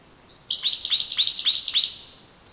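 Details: Wild European goldfinch delivering one sustained burst of about a second and a half: evenly spaced, repeated sweeping notes with a bright, tinkling quality over near silence.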